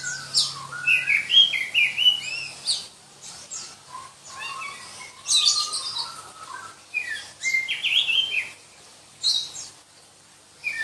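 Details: Black-breasted Oriental magpie-robin (kacer dada hitam), endemic to Berau, East Kalimantan, singing a shrill, densely worked song: high whistled phrases and quick warbled runs in bursts with brief pauses, a faint low hum underneath.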